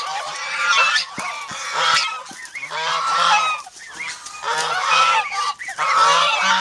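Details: A flock of farm geese in the Philippines, described as aggressive guards protecting their flock, gives a dense chorus of loud nasal honks, rising and falling in waves with short pauses and faint clicking noises.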